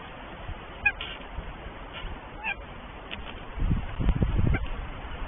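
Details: Northern goshawk pair at their nest in Tartu, Estonia, before egg laying, the male awaiting the first egg; a few short, harmonic calls spaced roughly a second apart over a steady low rumbling background, with louder rustling near the end.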